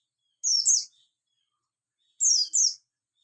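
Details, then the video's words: Javan white-eye of the buxtoni type in the morning: two pairs of very high, sharp, down-slurred chirps, about two seconds apart, in an otherwise silent setting. "pleci bustomii di pagi hari"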